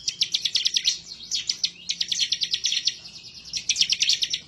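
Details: Continuous fast chattering of an excited bar-winged prinia seeking a rival, high sharp notes repeated many times a second in long unbroken runs.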